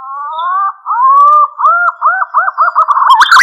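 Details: Green pigeon lure call: a long wavering whistle that breaks into a series of short, evenly spaced rising-falling whistled notes, quickening toward the end, followed by a brief clatter.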